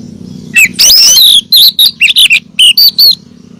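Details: Female oriental magpie-robin calling the male, used as a lure to stir caged males into song: bursts of high, sharp whistled notes, some slurred upward or downward, about eight short phrases in three seconds over a steady low hum.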